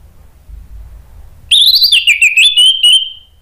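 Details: Orange-headed thrush singing a lure phrase (pancingan) meant to prompt other thrushes to reply. After quiet, a bright whistled phrase begins abruptly with wavering, buzzy notes, then settles into a sustained whistle that fades out.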